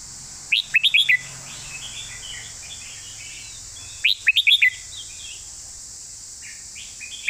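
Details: Caged red-whiskered bulbul delivering its master-style song: two short bursts of four or five loud, sweet whistled notes about three and a half seconds apart, with soft distant chirps and a constant high hiss between.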